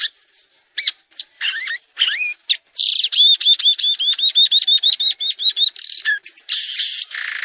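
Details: Violaceous euphonia song with scattered high chirps, then a fast, even run of about twenty bright downslurred notes, closing with harsher buzzy bursts.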